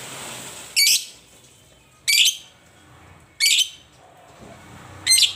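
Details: Lovebird calling with four loud, piercing screechy chirps at intervals of about 1.3 seconds, each short and harsh, with a soft low murmur between them.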